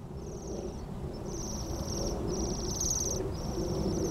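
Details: Waxwings, part of a flock of 60+ feeding on apples in an orchard at East Malling, Kent, on 3 January 2011, give high, thin, sibilant trills in overlapping second-long bursts over a low rumble of distant traffic.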